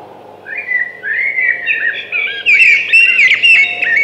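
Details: Thrush song building steadily, with soft whistled phrases at first, then louder, busier warbling and sharp flourishes in the second half.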